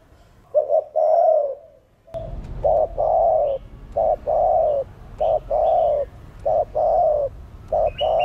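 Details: Spotted dove in the thổ đồng voice style, cooing to stimulate other doves to coo: harsh, blocky mid-pitched coos, a long one then a steady run of short and longer coos repeated about once a second.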